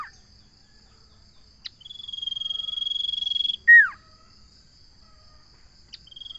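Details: Common iora delivering a sustained high pulsing trill of nearly two seconds that breaks into a loud falling whistle, followed by silence and the start of the next trill.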